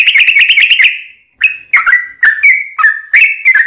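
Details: Yellow-vented bulbul song used as a lure to prompt other bulbuls to answer: a quick run of bright chirpy notes, a brief pause, then loud whistled phrases that swoop downward, each clear and slightly buzzy.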